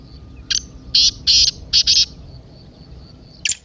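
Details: Partridge (teetar) excited 'masti' call, used to stir a silent partridge into calling: five loud, harsh, buzzy bursts in quick succession, a short pause, then one more sharp note, over a faint steady background hum.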